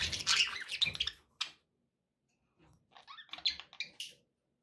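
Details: Pet budgerigars chatter: a dense burst of scratchy warbling and chirps, a pause of about a second, then a livelier run of squeaky chirps and clicks.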